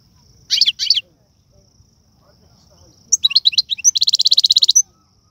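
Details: European goldfinch singing tiwawati, galoubi and serfati song styles: two scratchy high bursts, a pause, then tinkling twitters leading into a fast, even, buzzy trill of about fifteen repeated notes.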